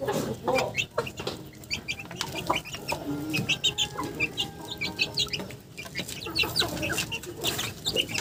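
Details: A flock of chickens gives a steady stream of clipped clucks and sharp high peeps, many birds calling at once with no pause, over constant low background noise.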